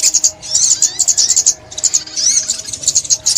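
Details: A sunbird sings in 2021 with quick, high twittering phrases of sharp repeated notes, a few rising slurs, and a short gap before the final burst.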